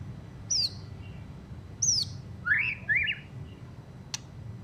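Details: A white-rumped shama fresh from its moult gives sparse, rough song: two high down-slurred whistles about a second apart, then two lower rising chirps in quick succession and a final sharp click, with steady low hum behind.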